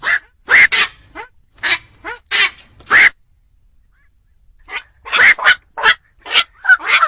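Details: Black-crowned night heron, recorded for luring birds into traps at night around Tet: rasping squawks come in uneven clusters, with a silent gap of about a second and a half midway, then a quicker run of croaks.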